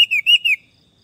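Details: Orange-headed thrush giving a brief whistled phrase of three or four loud, slurred notes that rise and fall, followed by silence.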